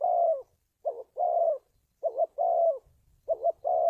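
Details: Spotted dove cooing, a recording used to train decoy birds and draw in wild doves for trapping: low phrases of a quick double note followed by a longer, slightly falling coo, repeated about every one and a half seconds.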